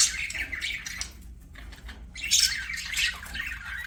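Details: Pet budgies sing as they play: two bursts of raspy, high chirping chatter separated by a short lull, with squawky notes mixed in.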